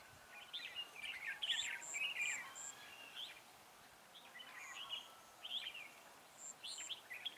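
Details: Red-whiskered bulbul singing where a decoy bird is used for trapping, 19 December 2016: quick warbled and chirping phrases in irregular bursts, with thin high piping notes from another bird.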